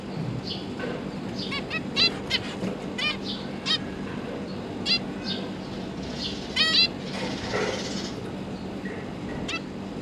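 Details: Zebra finch family in captivity, parents feeding three recently hatched juveniles; scattered short nasal chirps and brief harmonic calls against a steady background hiss and low hum.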